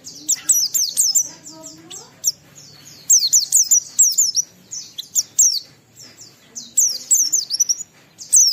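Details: Oriental white-eye in energetic lure song meant to make other white-eyes sing; rapid, high, clear twitters and sliding whistles, nearly continuous with a faint low rumble behind.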